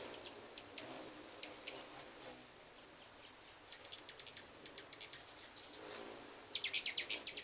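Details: Hummingbirds arriving in numbers at a new home, with a thin high buzzy twitter followed by bursts of sharp, rapid squeaky chips and short quiet gaps between flurries.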